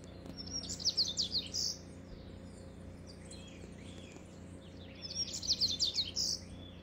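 A rusty-collared seedeater sings two short bursts of quick, high twittering notes, each ending on a clear whistled note, over a faint low hum.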